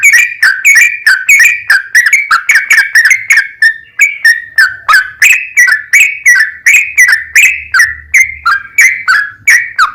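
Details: Sooty-headed bulbul lure song: a long, unbroken series of sharp whistled notes that dip and rise, about three per second, with faint low hum in the background.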